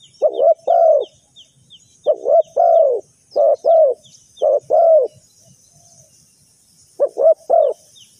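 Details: Spotted dove calling as bait for bird trapping: a series of paired mellow coos, each a quick note then a longer one, with a pause near the end. Rows of tiny high chirps from other birds run through.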